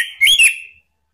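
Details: Orange-headed thrush luring call aimed at rival birds: a single bright whistled phrase that rises and then slurs downward, ending in a fading tail.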